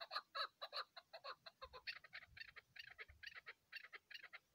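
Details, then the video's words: Chukar partridge on a mountain gives a steady run of harsh, clucking chuck notes, about four or five a second, building into a louder chattering series. "chakor ki awaz keklil sesi"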